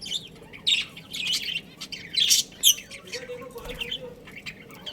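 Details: Captive budgerigars, a breeding pair, give scattered bright chirps and short squawky notes in uneven bursts with quiet gaps between, set against a faint low indoor hum.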